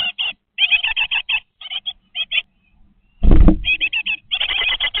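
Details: In a nest box watched by webcam, 20-day-old great tit nestlings give rapid, rasping, high chirps in bursts, with a loud thumping scuffle near the three-second mark.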